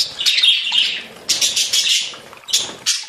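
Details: Budgerigars singing in a group: a squeaky, slightly whistled warble, then separate bursts of chatter arriving about every second.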